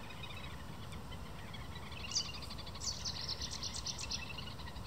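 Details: Little Grebes in breeding season, agitated, chasing and confronting each other while calling loudly: a fast, high, whinnying trill of rapid pulsed notes for about two seconds over steady low rumbling noise.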